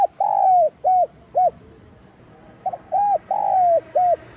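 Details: Spotted dove giving a 'giọng son' style calling and urging coo: two phrases of hollow, arched coos, short and long notes mixed, the longest note drawn out and slurring down, separated by a pause of about a second and a half.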